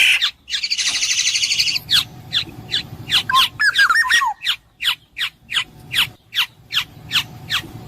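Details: Black-naped oriole opening with a buzzy rattle. A brief liquid whistled phrase follows, then a steady run of sharp descending chips, roughly three per second.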